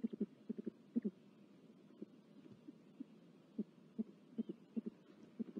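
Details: Great horned owls at a nest with four chicks in California, filmed in February 2023 by a live nest camera, give soft low pulsed notes in short irregular clusters.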